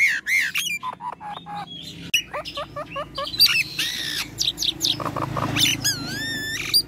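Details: Nias hill myna singing vigorously, mixing loud rising and falling whistles, rapid clicks and harsh rasping notes, ending in a wavering drawn-out whistle.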